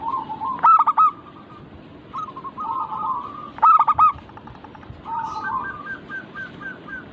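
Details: Local zebra dove (perkutut) cooing. Loud rattling bursts come twice, about three seconds apart, between smooth drawn-out coos and quick descending trills at a steady mid pitch.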